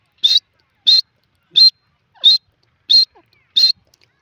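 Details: Indian grey francolin (teetar) uttering six evenly spaced, sharp, high-pitched notes, one about every 0.65 seconds, with faint soft sounds in between.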